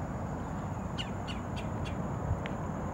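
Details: A woodpecker calling on 27 September gives five short, sharp, high notes about a third of a second apart, faint over a steady low rumble of wind or distant traffic.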